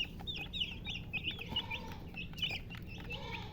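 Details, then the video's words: A group of chicks peeping in quick high chirps that dip and rise, with a soft lower hen murmur twice and low hum underneath. "Baby "Chicks Chirping" Sound"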